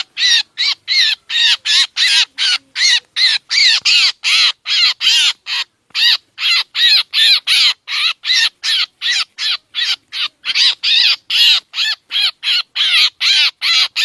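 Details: Black drongo calls used as a trapping lure: an unbroken fourteen-second series of loud, grating, arched notes, about two to three each second, steady and fairly regular throughout, on a clean background.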